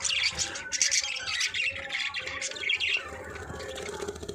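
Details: Pairing budgerigars calling; rapid, high, scratchy chirps and short rising squeaks in a continuous chattering flow, with some softer warbles near the end.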